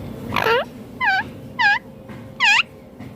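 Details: Green Indian ringneck parakeet giving four loud, harsh, rasping calls, each short and rich in overtones, spaced roughly half a second to a second apart over a low background hum.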